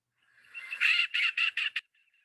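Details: A hen teal, a small dabbling duck that flies erratically in large flocks, gives a quick run of about five high, squeaky quacks, each shorter than the last, like a tiny mallard, with a few faint squeaks after.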